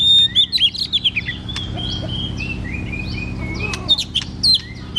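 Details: White-rumped shama in vigorous song to train a quiet shama: fast sequences of high whistles and chips at the start, softer twittering in the middle, then another loud burst of looping whistles near the end.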